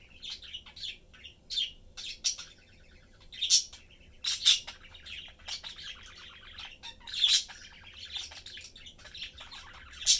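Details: Pet budgie family of three, father, mother and youngster, chatting while eating and playing. Steady warbling chatter with scratchy trills, broken by sharp bright chirps every second or two, over a low background hum.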